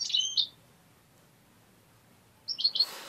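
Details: Tame European goldfinch, kept as a pet bird and trained to attack and bite a finger, gives two short bright twittering bursts of high chirped notes, separated by about two seconds of quiet room background.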